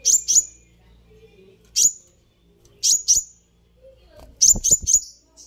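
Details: Sunbird call played to stir a response: paired and single piercing high chirps spaced about a second apart, ending in a quick triple chirp, with faint low clicks and background hum.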